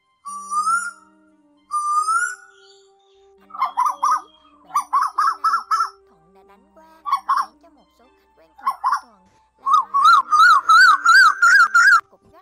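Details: Koel lure sound for night-net trapping of migrating birds, August 2024: two rising whistles, then stuttering bursts of rapid notes, ending in a fast rising string of bubbly, repeated whistled notes, with a low hum throughout.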